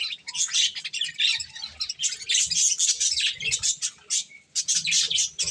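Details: Budgies enjoying corn chatter in choppy, rapid bursts of high chirps and harsher squawky notes, with faint low taps from eating.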